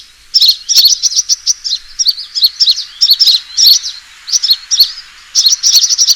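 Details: Sunbird fighting call used as a lure: after a quiet start, shrill, high tweets arrive in irregular clusters, closing with a quick rapid series.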